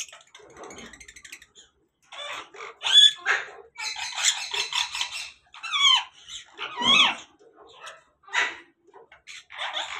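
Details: An African grey parrot in a breeding setup gives what the owner calls a mating call: harsh, buzzy squawks mixed with rising and falling whistles in irregular bursts, with short pauses between them.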